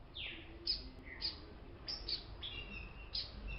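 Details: Colour-mutation double-collared seedeaters, one singing a quick, varied phrase of high slurred whistles, sharp chips and a brief buzzy trill, over a faint low background hum.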